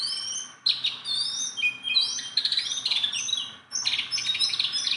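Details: Sunda bulbul, a tame cage bird that sings constantly and can be handled, pouring out varied high whistled phrases with rising slurs and dense chattering notes, two short breaks between bursts.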